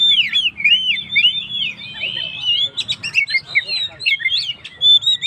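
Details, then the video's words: Oriental magpie-robin song for rousing stressed birds: smooth repeated looping whistles at the start, then busier mix of sharp chirps, clicks and slurred notes in short bursts with brief pauses. "suara burung Kacer gacor// naikan emosi//pancingan burung stress"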